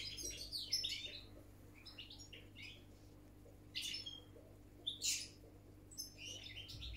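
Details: European goldfinch, wild, delivering scattered bursts of high twittering and tinkling notes separated by short pauses, over a faint constant low hum.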